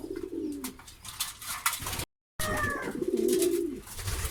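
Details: Pigeons cooing in low, burbling, rolling phrases. A short silent break falls midway, then a fuller stretch of layered coos with faint higher tones, among clicks and shuffling.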